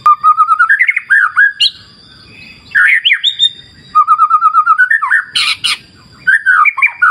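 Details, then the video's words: White-rumped shama (murai batu) singing energetic phrases: fast strings of repeated notes, twisting warbles and sudden high harsh bursts, separated by short pauses. "Terapi Murai Batu Ala Alam Liar Sungai Jernih"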